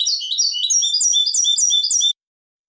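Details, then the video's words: European goldfinch song, clean recording: a dense, rapid flow of high liquid twitters and trills lasting about two seconds, then ending abruptly. "canto del jilguero limpio"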